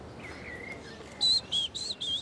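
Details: Short-toed treecreeper singing in a Parisian park: after faint lower whistles, four high, thin, piercing notes in quick succession, each about a fifth of a second, with light background hum.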